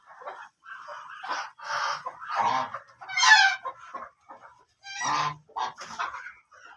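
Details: Several black ducks calling over one another in a continuous string of nasal, honking quacks of varying loudness, with one harsher, louder burst midway.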